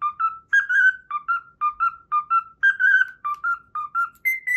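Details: A pet cockatiel sings the Pythagora Switch opening melody it learned, giving crisp paired whistles that repeat rhythmically in a bouncing sequence, occasionally stepping up to a longer held note, and closing on a higher sustained tone.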